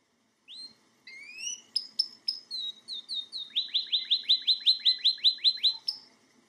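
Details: Male pet canary singing indoors in front of a television: a few whistled slurs, then a fast even trill of about a dozen rising chirps.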